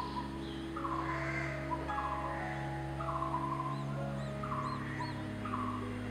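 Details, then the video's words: Coppersmith (crimson-breasted) barbet calling to its partner: hollow, mellow metronomic 'tuk' notes about once a second, like a coppersmith hammering metal, over a steady low hum with faint high chirps from other birds. "Coppersmith barbet communicating with partner."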